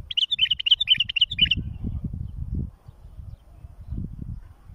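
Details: Bulbul song meant for tutoring and fledging chicks: one quick run of about six bright, bubbling notes in the first second and a half, then only low rumbling noise.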